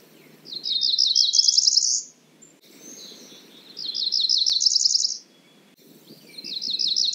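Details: Cerulean warbler singing: high, buzzy phrases of quick rapid notes that climb steadily in pitch, each lasting about one and a half seconds, repeated three times with short pauses between.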